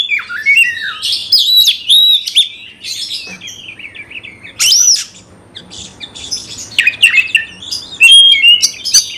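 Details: Oriental magpie-robin in a cage, song meant to trigger fighting: rich whistled phrases with sharp upslurs and downslurs, interrupted by scratchy chatter and a quieter stretch midway.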